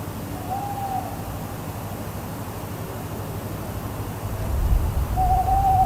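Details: Tawny owl (Strix aluco) in the Glaslyn area, Wales, giving two drawn-out, level hooting notes about five seconds apart, over the steady low rumble of an aircraft that swells near the end.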